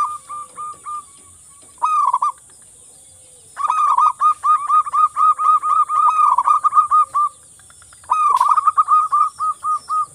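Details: Local zebra dove singing to encourage mute doves: short coos lead into long fast trains of clipped, bubbling cooing notes, about two per second, in three bouts; steady high hiss.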